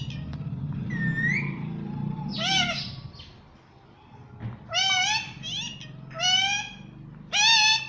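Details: Pet parrot said to speak the words "mummy" and "papa"; drawn-out, meow-like squeaky syllables come in separate bursts, growing louder toward the end, with a low room hum underneath.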